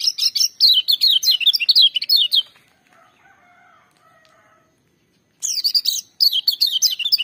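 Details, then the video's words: Lemon-bellied white-eye in loud, vigorous song: long runs of rapid high descending notes, a pause filled with faint soft twitters, then the fast shrill phrases burst out again. "Kecial Kuning joss gacor menggelegar tapi merdu"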